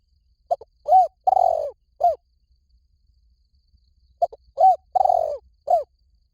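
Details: Two cooing phrases from a spotted dove, each opening with quick short notes, then an arched coo, a long descending coo and a final downslurred coo, separated by a few seconds of quiet.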